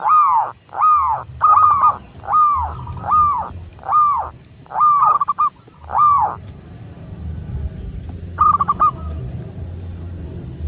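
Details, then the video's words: A local zebra dove from Indonesia, recorded as a master to prompt caged doves to sing, gives about eight arched, swelling coos in a steady row, then a pause and one short stuttered burst; low hum beneath. "Perkutut lokal gacor"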